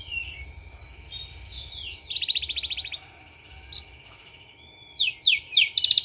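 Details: Canary song used as a therapy sound for training canaries: high, bright warbling with buzzy rapid trills in the middle, a brief whistle, then a run of fast repeated downward-sweeping notes near the end; faint low hum underneath.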